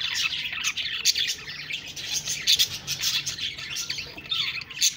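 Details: Budgies chirping together, a busy flow of high twitters punctuated by louder sharp squeaks every second or so.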